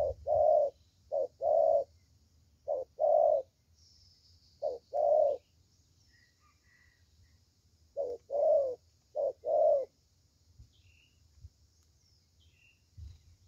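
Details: A young spotted dove with a fine voice coos in the 'thổ' style: bursts of short-then-long coo pairs, several in a row, broken by silences of a few seconds, ending quiet.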